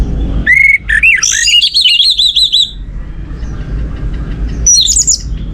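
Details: Song of an orange-headed thrush, played to encourage other birds to sing: a clear whistle, then a rolling series of repeated looping high notes, quiet gap, and a brief high flourish near the end.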